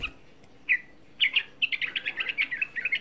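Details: Young sooty-headed bulbul, a lure sound said to rouse other bulbuls into singing: one bright chirp, a pause, then a quickening burst of chattering, sharp notes running to the end.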